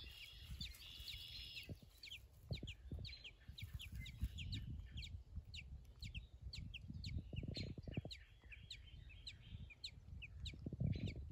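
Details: American robin chicks about a week old in their nest, with thin high-pitched chirps in rapid clusters, partly masked by steady low-frequency rumbling and handling noise.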